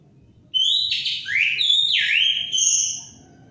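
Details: Orange-headed thrush in vigorous song: clear whistled notes sliding up and down, one slurred phrase dipping then rising, rich bright tone, with faint low background rumble.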